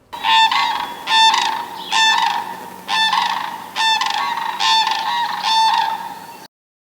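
Sandhill Crane giving seven loud, rolling, trumpeting bugles, each a burred rattle about one per second, with nothing else heard.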